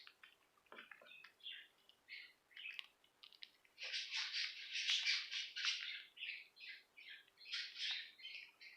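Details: Pet budgerigars at feeding time chatter in busy, scratchy warbles and squawks, a rapid run of short high notes.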